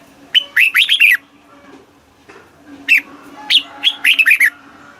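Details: Red-whiskered bulbul singing in Thailand, southern master-song style played to stimulate caged birds: two phrases of four to six loud, warbled, slurred whistles about two and a half seconds apart, with a constant low hum.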